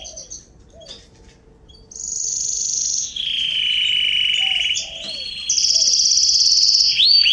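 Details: Canaries singing in a garden in September 2020: long, steady, rolled trills switch between high and middle pitch, each held a second or more, with faint low soft calls from another bird underneath.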